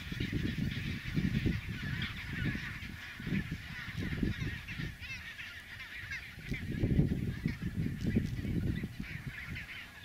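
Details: Chinstrap penguins moving between the sea and the nesting colony on a hard snow track; rough, low honking calls come in rhythmic clusters, strongest around seven seconds, over steady background hiss.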